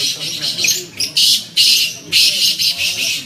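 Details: Kala tetar, the black francolin, heard in the UK giving rasping, noisy notes in an irregular run, each burst lasting a fraction of a second. Faint background hum underneath.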